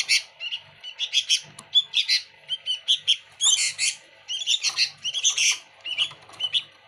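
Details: Energetic Sooty-headed bulbul song with busy fills. Rapid, varied high chirps and whistled notes come in clustered bursts throughout, with a short lull in the middle.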